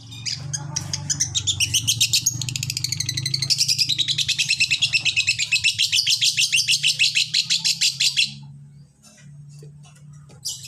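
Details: Long-tailed shrike master song for provoking other shrikes: a long, fast, even trill of high chattering notes lasting about eight seconds, then stopping abruptly, over a steady low hum.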